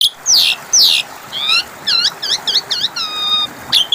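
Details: Asian pied starling song used as a lure to get a bird that has stopped singing to answer: sharp falling whistles, then buzzy rasping notes, a run of five quick chevron-shaped chirps and a long flat whistle.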